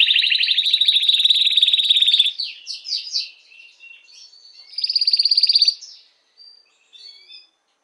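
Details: Canary singing to prompt hens to mate, a loud rapid trill for two seconds, then varied warbled notes, another bright pulsed trill, and faint scattered chirps trailing off.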